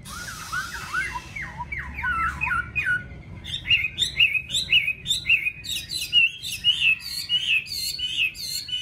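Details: Golden-billed Chinese hwamei kept in a cage at home in Vietnam, opening with quick twisting warbles and then breaking into a long, lively stream of bright, clipped whistles repeated in quick succession.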